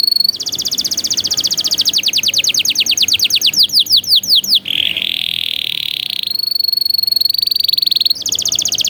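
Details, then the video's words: Canary song used to train young birds: a fast high trill, then a long series of quick descending sweeps, a dense lower rolling tour, and more crisp high trills, each section changing abruptly. "MASTERAN PALING EFEKTIF BURUNG KENARI | COCOK UNTUK MASTERAN KENARI PAUD"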